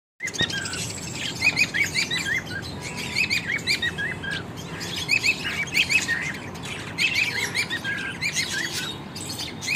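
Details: Budgies and lovebirds in an aviary in Juhapura, Ahmedabad: many small parrots chatter together in quick, high chirps and squeaky warbles.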